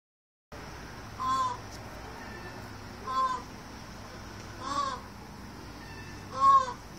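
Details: A peacock, possibly a mating call, gives four loud, nasal, cat-like wails, one every second or two, over a steady high hiss of insects.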